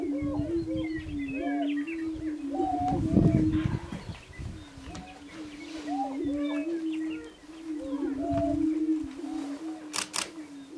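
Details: Displaying prairie chickens: a steady, low, droning hum runs almost unbroken throughout, overlaid by many quick, higher whooping and cackling notes from several birds, with a sharp click near the end.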